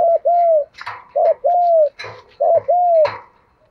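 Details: Caged decoy spotted dove used to lure wild doves for trapping, singing in the 'giọng thổ' (thổ pha) style: three low mellow coo phrases, each a short note then a longer slurred coo, about every 1.2 seconds, with sharp clicks and rustling between.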